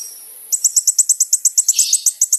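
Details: Energetic song of a sunbird (kolibri ninja), played as a lure: after a half-second pause, a rapid run of piercing high notes, roughly six a second, with a brief buzzy overlap near the end.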